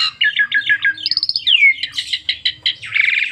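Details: Asian pied starling song used to draw other starlings into singing: varied run of rasping chattering notes near the start, a bright rising-falling whistle in the middle, then buzzy repeated chatter.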